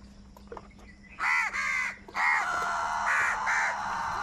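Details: Harsh crow caws from birds squabbling over food: a loud pair of grating calls followed by a longer run of overlapping hoarse caws, with a low background hum.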